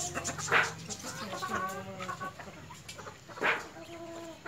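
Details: White Leghorn hen and rooster clucking: a series of low, nasal, harmonic clucks and short drawn-out notes, with two louder sharp accents at about one and three seconds apart, over light background hiss.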